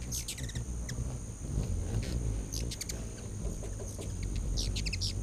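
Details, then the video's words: Hummingbirds in a feeding frenzy at a feeder on a back deck, late August 2019: quick bursts of high, sharp chips and twitters over a steady low wing hum. "Hummin' Hummingbirds"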